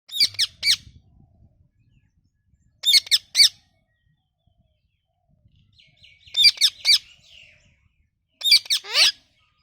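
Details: Parrot calling: harsh, rasping squawks given in tight clusters of two to four, with each cluster separated by about two to three seconds of near silence. Some notes end in a falling tone.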